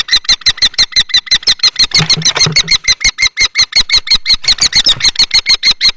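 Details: Nest-box fight between two common kestrel males at Théding, France, 20 March 2024, the older male driving off the younger. A fast, even stream of piercing notes runs about five per second, with a brief low thud partway through.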